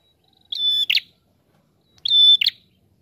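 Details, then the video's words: Two crisp phrases from a visiting wild prinia, one and a half seconds apart. A sustained high, piping whistle leads into a sharp burst of buzzy, rattling notes. "Prenjak TAMU Gacor Ngalun Rapat"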